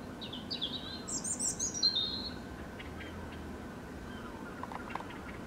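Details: A robin that returns regularly to sing: a quick run of high, thin, twittering and trilled phrases over about two seconds, then faint scattered notes against steady outdoor background noise.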